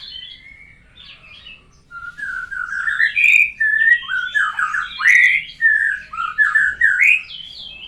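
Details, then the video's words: Having finished its moult, a white-rumped shama learning new sounds opens quietly, then bursts into loud, fast, varied song of slurred whistles and rich warbles at a steady rhythm. "belajar bunyi baru selesai dari mabung burung Moray batu"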